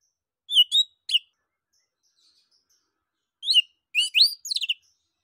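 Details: Orange-headed thrush song used as a prompt to get other birds singing; a few clear whistled, sliding notes around the upper range come in two bursts, early phrases then a louder tumbling run after a pause, in a quiet setting.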